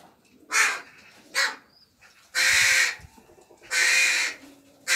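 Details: Juvenile crows kept together in an aviary, where a noisy young bird begs and gets fed by its peers; long grating nasal caws alternating with shorter harsh calls and quiet gaps.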